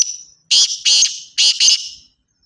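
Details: Rasping, high-pitched notes from a black francolin, delivered as two pairs of loud grating bursts, each pair slightly stuttered, ending abruptly in silence.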